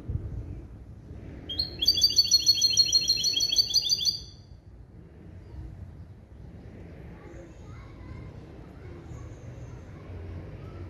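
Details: Male goldfinch × female canary hybrid schooled in limpio song from goldfinch base calls: a bright, rapid trill of repeated metallic notes lasting about two and a half seconds, then faint background noise.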